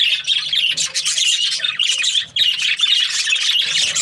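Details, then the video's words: Budgies chirping: bursts of shrill squawky warbling, with a brief dip in loudness midway, then more overlapping high chirps and squeaks. "Budgies parrot chirping sounds"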